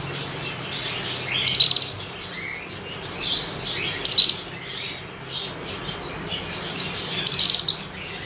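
Canaries chirp brightly and high, with short sharp phrases about every three seconds over a steady background chatter of many small birds.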